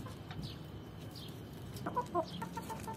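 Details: A Swedish rooster courting a hen gives a few soft, low courtship clucks in a quick burst near the end, with faint high small-bird chirps and a steady low rumble behind.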